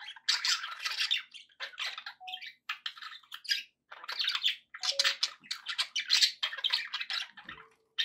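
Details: Pet budgerigars chattering continuously indoors, a dense stream of buzzy, scratchy chirps and warbles with brief pure whistled notes mixed in.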